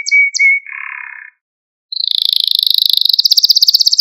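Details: Male Maltese canary song meant to stimulate other canaries: a few clear whistles and a low burry note, a short silence, then a fast, even high trill that grows steadily louder.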